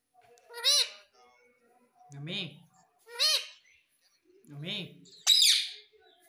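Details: Pet parrot indoors speaking "Mummy": high, tonal, two-syllable utterances alternate with a deeper human voice repeating the word, ending in a sudden harsh squawk.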